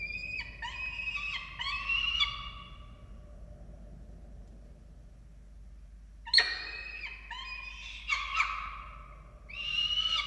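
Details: Nest of falcons in Orange, Australia, 13 November 2022, during feeding of the chicks: two bursts of high, nasal, whining calls separated by about three seconds of quiet, then a sharp clatter and more wails.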